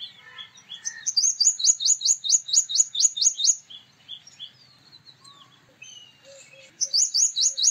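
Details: Male purple sunbird delivers a long, fast string of high, metallic, slightly hooked notes for nearly three seconds, then a quiet gap with faint chirps and low whistles before a second short burst.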